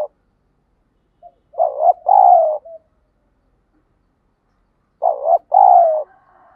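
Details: Spotted dove used as a trained decoy, calling to provoke fighting and lure wild doves: soft short notes, then two loud low coo phrases, each a brief hooting note followed by a longer, slightly falling coo, about three and a half seconds apart.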